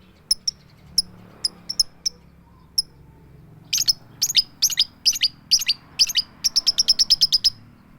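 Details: Female lovebird calling the male: scattered thin, high ticks, then louder buzzy chirps and a fast even series of ticks at the close.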